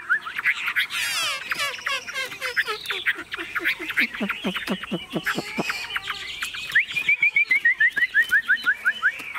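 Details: Tame caged Chinese hwamei singing while its cage is carried and shaken by hand, unafraid of people: varied loud whistled phrases, then fast chattering note series, ending in a rapid run of sharp repeated whistles.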